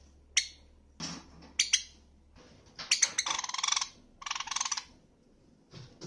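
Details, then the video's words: A pet Java sparrow indoors, from a medley of its song, calls and begging calls, gives a few sharp, clicking chips, then two bursts of rapid, bubbling churr lasting about a second each. "文鳥 鳴き声メドレー"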